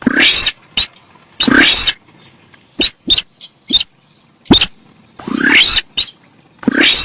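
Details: Noisy Javan pied starling song: coarse buzzy notes climbing in pitch, interspersed with brief snapping clicks, repeated roughly every second, against a steady background hiss.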